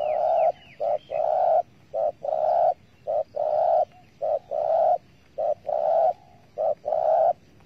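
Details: Spotted dove calling at a bird trap: a steady cooing pattern of short and long low coos, alternating regularly roughly every half second to second, with faint chirps from other birds at the start.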